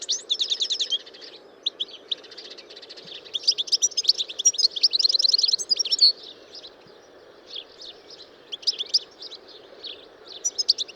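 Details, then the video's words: European goldfinch singing a rapid liquid cascade of high twittering, buzzy trills and tinkling notes, long run from three to six seconds, then shorter scattered phrases; faint low background hum. "Chant CHARDONNERET ÉLÉGANT"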